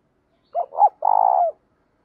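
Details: Cooing phrase of a spotted dove, a đồng-style voice mixed with thổ, played to provoke and train other doves. Two brief mellow notes lead into a sustained purring coo that slurs downward.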